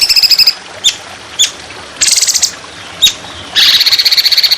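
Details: Trotolan, an Indonesian songbird, heard on a training recording with trickling water: a high buzzy phrase, isolated sharp chips, short harsh rattles and a closing buzzy trill.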